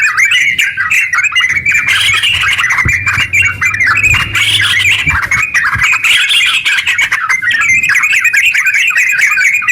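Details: Yellow-vented bulbul in lively, long-running ngeropel song used to stimulate other bulbuls to sing: a dense stream of rapid, chattering notes without pause, with a faint low hum beneath.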